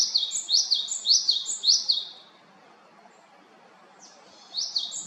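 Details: Japanese tit in Haenam, South Korea: about six rapid, high two-note phrases, a gap of roughly two seconds, then the song starting again.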